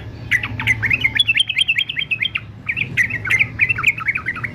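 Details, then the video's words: Fighter male yellow-vented bulbul singing for training: quick strings of short, sharp, wavering chirps in two bursts with a brief break between them. A faint low hum runs throughout. "TRUCUKAN JANTAN FIGHTER ANTI BISU"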